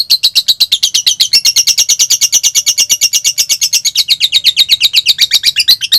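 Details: Lovebird song used as a training model to provoke other lovebirds into singing: a long, fast run of harsh, scratchy chattering notes, about eight per second, steady throughout the stretch.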